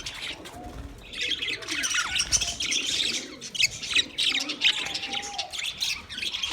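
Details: A budgie flock keeps up scratchy high chirps and squawks, with occasional short whistled glides and low warbling notes underneath.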